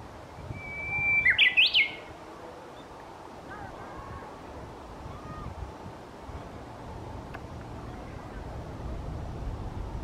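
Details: Japanese bush warbler singing: a held whistled note followed by a quick burst of sharp, rising flourishes, all within under a second, then quiet rustling background with faint distant sounds.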